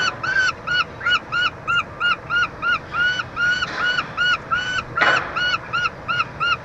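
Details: Peregrine falcon pair with their chick at a University of Montreal nest box, Canada, June 2023, at feeding time; a fast, steady run of about twenty short, nasal, arched cries, with one scraping noise midway.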